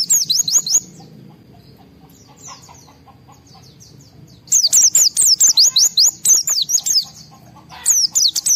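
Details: White-eye in a highly excited state, singing to provoke other white-eyes into answering: bursts of rapid, very high, thin whistled notes sliding down then up, a pause of quiet, then a long dense run of repeated sharp chirps.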